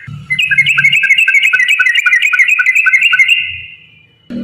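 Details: Sooty-headed bulbul in long rapid-fire 'ropel' song, used as a lure to make other bulbuls sing; quick bubbly whistled notes about four per second for three seconds, then a sudden low thump near the end.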